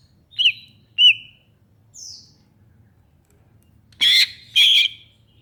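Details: Cucak ijo, the greater green leafbird: two clear upslurred whistled notes, a thin high downslurred note, then after a pause two loud harsh buzzy bursts close together, with a soft low hum beneath.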